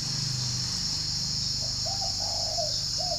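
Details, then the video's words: Spotted dove at a Ba Vì, Hanoi dove garden in the morning giving one soft low coo phrase with a drawn middle note and short end, amid a continuous high insect drone and low background rumble. "buổi sáng uống cà phê mà nghe em này gáy thi đã"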